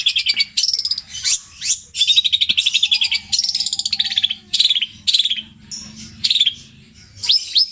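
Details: Mimicking long-tailed shrike from Java, a captive singer in petir style with tengkek buto, kuntilanak and greja material, strings together varied high phrases: rapid stuttered notes, sweeping whistles and short trills separated by brief pauses.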